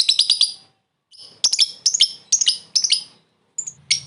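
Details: Lovebird calling a rival with short laughing ngekek calls for luring: clustered, stuttering shrill chirps in repeated bursts with short pauses.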